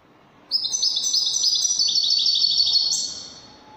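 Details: European goldfinch singing in the Moroccan wedani song style: after half a second of quiet, a continuous high, bright run of rapid twittering trills and buzzy notes lasts about two and a half seconds, then fades.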